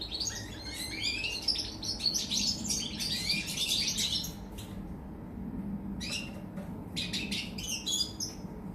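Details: European goldfinch from 24 August 2019: a fast twittering song phrase, a short silence, then scattered sharp clicking chips and high notes, with a low background murmur.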